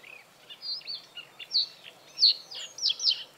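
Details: A male common reed bunting in breeding season defends its territory from a reed perch above water; an uneven string of high chirps and short slurred notes, growing louder, with several emphatic sharp notes toward the close.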